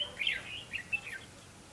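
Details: Red-whiskered bulbul heard during trapping on 19 September 2016, likely a decoy bird. A lively burst of warbled, whistled phrases that rise and fall in quick succession, then trail off into quiet hiss.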